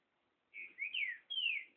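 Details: Song of a great thrush, known locally as trinca-ferro: a short burst of clear whistled notes, then two long falling whistles, over faint background murmur.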